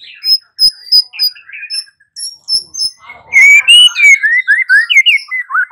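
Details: Singing white-rumped shama used as a lure for an answering bird: crisp high whistled notes spaced apart, then a rich flowing run of looping, rising and falling whistles.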